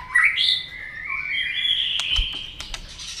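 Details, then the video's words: White-rumped shama being fired up to fight-sing: long sustained whistled notes sliding between mid and high pitch, ending in a few sharp clicks. "kích lửa cho chòe lửa hót"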